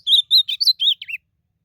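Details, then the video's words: Blue-black grosbeak singing in the wild during a song contest: a short phrase of clear whistled notes, several steady, then a falling slurred note to finish. "Azulão disputando canto na natureza"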